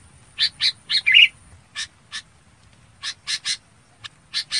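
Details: Red-whiskered bulbul calling its flock: harsh, broadband chip notes in short bursts, a quick run of four at the start, then scattered pairs and singles, with a faint steady high-pitched tone behind.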